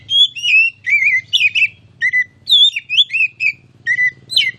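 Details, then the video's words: Oriental magpie-robin (kacer), a contest-hopeful bird used as a master song for training, singing loud clear whistled phrases that rise and fall with warbled notes, over a faint low hum. "KICAU MASTERAN KACER CALON JUARA!!!"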